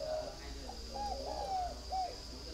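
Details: Spotted dove from a northern Vietnamese breeding farm in Ba Vì, Hanoi, giving soft, hollow coos: a short note, then a longer drawn-out phrase falling slightly, and a final brief coo, over a steady high insect-like hum.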